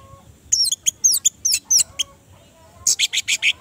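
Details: Orange-headed thrush singing in quick high notes: a run of sharp, sweeping chirps, a short pause, then a rapid burst of four or five harsh, buzzy notes over a faint low hum.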